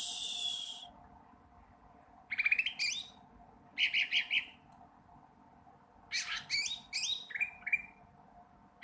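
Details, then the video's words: Young sooty-headed bulbul learning to sing: an opening high buzzy hiss, then short bursts of scratchy, chattering chirps, each under a second, at irregular gaps with quiet pauses between. "cucak ranting trotol belajar bunyi"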